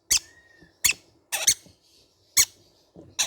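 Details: Five piercing, short screeches from baby green-cheeked conure parrots, one doubled, separated by brief pauses with a thin faint tone in the background.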